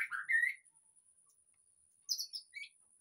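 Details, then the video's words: White-rumped shama lure song for a caged bird that is not singing: one short rising whistled phrase, a pause of about a second and a half, then a brief high twittering phrase. "pancingan suara murai batu//agar cepat ngeplong"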